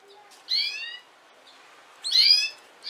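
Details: Female canary giving two separate harmonic notes, each about half a second long and rich in overtones, spaced about a second and a half apart, with a third note starting at the very end; quiet background.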